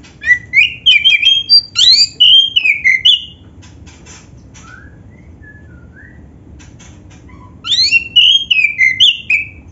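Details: Black-breasted oriental magpie-robin song, played so other magpie-robins join in: long rapid runs of varied whistles and twitters, a pause of soft scattered notes, then another rich whistled burst.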